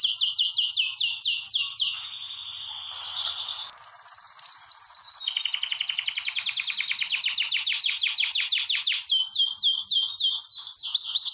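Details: Long canary song in a room of breeding birds made ready for mating: fast falling notes, a short buzzy pause, then long even rapid trills that rise into crisp descending sweeps.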